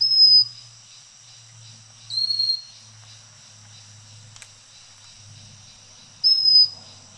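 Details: Pygmy Wren-babbler on Fraser's Hill, Malaysia, giving three sharp high whistles spaced two to four seconds apart, the middle one slightly lower in pitch than the others, with a low steady hum underneath.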